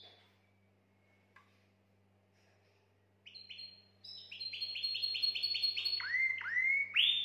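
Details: Canary singing to excite females for mating: after faint early notes, a rapid series of repeated bright chirps builds, then shifts to a run of rising upswept whistles, growing louder toward the end over a faint hum.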